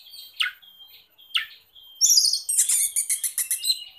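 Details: Oriental magpie-robin (kacer) singing as a master or lure song: two downslurred notes, then a dense rapid rattling burst of high harsh and whistled notes.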